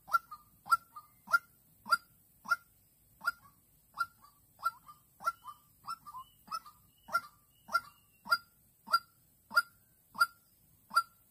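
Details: Decoy white-breasted waterhen in a trap at Vĩnh Long, 16 March 2022, calling against a fight-eager rival female. Loud, honking notes come in a brisk series, about 97 a minute, each with a sharp click and sometimes a shorter trailing note.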